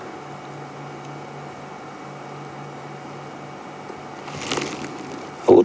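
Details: Constant mechanical hum, then a brief rustling swell and a sharp knock at the end, with no animal voice.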